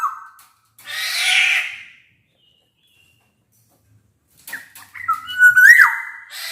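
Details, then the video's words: A black-naped oriole, recorded as a lure to make quiet orioles sing, gives a harsh rasping burst, then after several seconds of silence a loud, sliding flute-like whistled phrase. "Burung kepodang emas gacor | Suara kepodang gacor ini bisa di jadikan pancingan kepodang malas bunyi"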